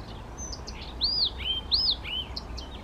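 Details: Spontaneous song of a male Blyth's reed warbler near Těchařovice, Czech Republic, June 2014: two loud arched whistles, each rising then falling, followed by flatter whistled notes and soft buzzes, set over quiet low rumble.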